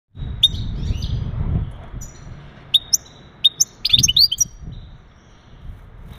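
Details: Male European goldfinch giving mating calls meant to ready a female for breeding: a few short, bright chirps and a brief twittered cluster, separated by quiet gaps, over a low rumbling background.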